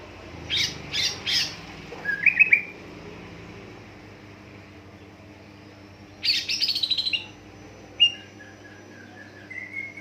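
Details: Greater green leafbird lure song for triggering other leafbirds to sing: three sharp harsh notes, a short whistled phrase, a pause, a chattering descending run, then scattered whistles, over a background hum.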